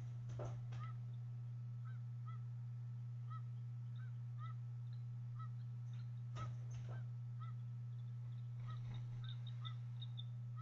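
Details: At a nest watched by the Harrison Bay eagle cam, bald eagle eaglets being fed fish on 26 April 2014 give short, upturned peeping notes spaced irregularly, with scattered clicks and rustling and a steady low hum beneath.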